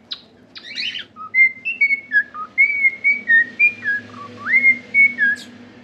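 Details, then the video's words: A cockatiel sings, opening with a few harsh chirps and then whistling a tune of clear notes that slide up and down, roughly two per second, over a faint low hum. "COCKATIEL SINGING!"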